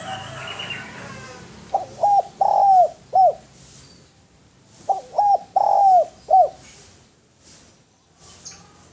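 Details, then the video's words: Spotted dove (derkuku, tekukur) singing a clear, melodious masteran song: two phrases, each of quick short coos that run into a long, drawn-out falling coo and a final short note, with faint chirps behind. "SUARA DERKUKU GACOR SUARA MERDU BERSIH MEWAH MASTERAN TEKUKUR"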